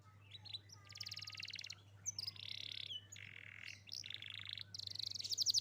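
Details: Young Atlantic canary song for prompting a silent canary to sing: a chain of buzzy trilled phrases at varied pitches, separated by short gaps, with a fast rattle at the end and a steady low hum.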